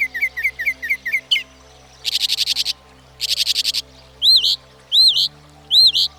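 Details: A Northern Mockingbird, which can learn up to 200 sounds, switches between types: quick repeated chirps, two rattling harsh bursts, then loud upswept whistles repeated three times; faint background music.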